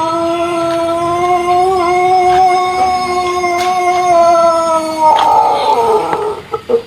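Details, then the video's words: Pelung chicken of Cianjur, West Java, Indonesia, crowing in its long, rhythmic, melodious style. A level, sustained harmonic tone lasts about five seconds and then gives way to scraping handling noises. "Ayam Pelung Indonesia | Suara Kokok Panjang & Merdu yang Unik"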